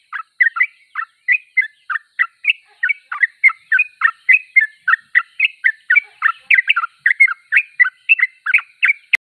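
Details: Continuous, fast-paced song of a Sooty-headed bulbul: clean, bubbly, slightly slurred notes following one another at roughly three to four per second against a quiet background.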